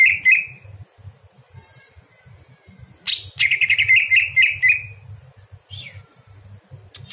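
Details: Night song of a greater green leafbird, used to train other birds: a short trilled phrase, a quiet gap, then a rich warbled run of rolling notes and a final upswept note over a low hum.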